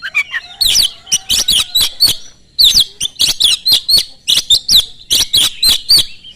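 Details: Oriental magpie-robin singing energetically, a fast song used as a lure to provoke other magpie-robins into answering. Sharp, harsh notes fire in quick bursts of about ten strokes, with a short pause near the middle before the rapid run resumes.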